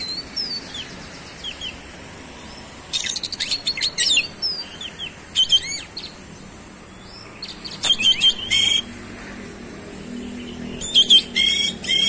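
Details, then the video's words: Oriental magpie-robin, a highly active singer, in a varied song with fast buzzy bursts and rattles mixed with short whistled upward and downward slurs, given in spaced phrases over low background hiss. "KACER SUPER GACOR ROLL SPEED BONGKAR ISIAN"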